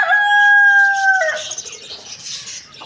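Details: Rooster crowing in the morning: a loud, steady, harmonic drawn-out note holds for about a second, then breaks off and fades into background chirping from other birds.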